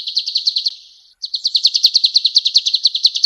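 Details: Male golden-bellied gerygone in full song, used as tutor material: a short high trill, then a brief gap, then a louder, faster run of sharp repeated notes, roughly six per second.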